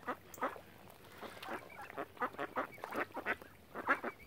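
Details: On Lough Neagh by Oxford Island in Ireland, ducks surrounding people give loud, clipped quacks in quick uneven bursts, some doubled, and a brief high chirp also sounds.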